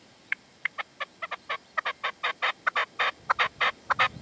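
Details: Partridge in the sierra at Manzanares at sunset, 27 February 2014, with a decoy (reclamo) bird and a male that would not approach. Rapid series of harsh, clipped chattering notes, roughly twenty in four seconds, growing louder toward the end.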